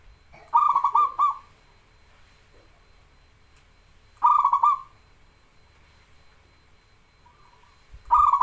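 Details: Local zebra dove singing actively, recorded as a training master and lure for birds that rarely sing: rapid trilling, stuttered cooing bursts about a second long, repeated every three to four seconds with a faint softer phrase between.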